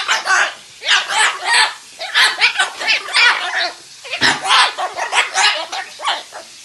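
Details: A cockatoo argues with a screaming Amazon parrot: harsh, raspy squawks and screeches in rapid bursts, several per second, the two birds trading loud back-and-forth calls; a person speaks briefly. Amazon parrot.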